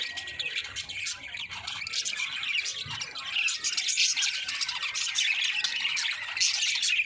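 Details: Chorus of budgerigars from a breeding colony, steady overlapping high-pitched warbling, chirps and scratchy squawks, growing slightly louder toward the end, many birds calling at once.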